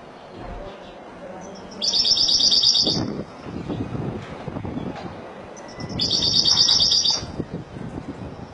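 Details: Spanish goldfinch, Malaga song style: two separate bursts of sharp, high, buzzy-twittering trills about a second long, with quiet stretches of low background rumble between them.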